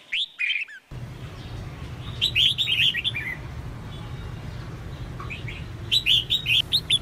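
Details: Female red-whiskered bulbul calling to spur males into song: bursts of clear, bubbly, slurred whistles in short groups separated by pauses, over low hum.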